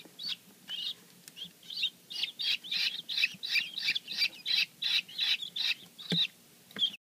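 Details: Freshly hatched guineafowl keets, several together on their first day in captivity: bright high peeps building into a steady run of nearly three per second, each short and shrill, ending with a few scattered calls and clicks.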